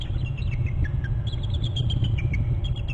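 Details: On January 11 at a Hornby Island nest and territory camera, two eagles call and alert: near-continuous high chattering, repeated descending strings of squeaky notes throughout, with a loud low rumble underneath.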